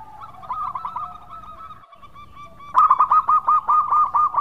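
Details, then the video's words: A local zebra dove in lively, sweet-voiced song: soft purring coos, then a loud run of about ten quick bubbling notes at an even pitch. "Pancingan Perkutut Lokal Gacor Suara Merdu"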